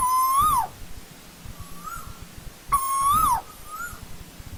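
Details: Two loud whistled calls of an Asian koel in old-growth forest, nearly three seconds apart, each flat then swelling upward before falling, followed by softer faraway replies; low hum in the background.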